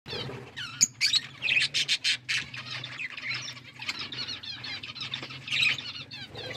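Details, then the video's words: Several budgerigars eating seeds chirp and chatter continuously: dense, scratchy high warbling with quick squeaky notes and a few louder bursts around the middle, over a faint low hum. "Beautiful budgies parrot chirping sounds and eating seeds"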